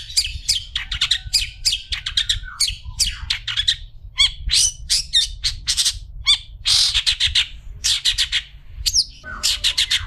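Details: Long-tailed shrike singing for use as a tutor recording for other shrikes: a dense, varied run of scratchy chirps, harsh squawks and buzzy notes packed closely together for ten seconds, with a low background rumble.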